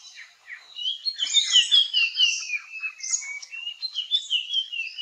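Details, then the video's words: Puff-throated babbler singing during a mating display dance in the Nilgiris, India: a dense, continuous run of high chirps and thin whistles, with several descending slurred notes overlapping in a busy, chattering stream. "Puff Throated Babbler - Singing and dancing"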